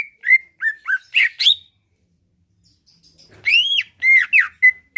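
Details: Singing captive Greater Green Leafbird, its song used to make rivals answer and fight: loud slurred whistles and chirps in two bursts separated by about two seconds of silence, notes arching up and down sharply.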